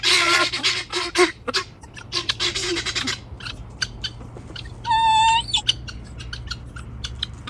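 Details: Helmeted guineafowl shrieking: harsh, rasping bursts crowd the first three seconds, then fade to scattered softer squawks. A clear, steady, tonal note sounds briefly midway, and quieter clucks follow.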